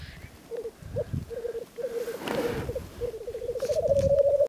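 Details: Black grouse at a lek give bubbling courtship display calls: low, dove-like rolling coos in quick pulsed bursts, with one harsh hissing sneeze in the middle.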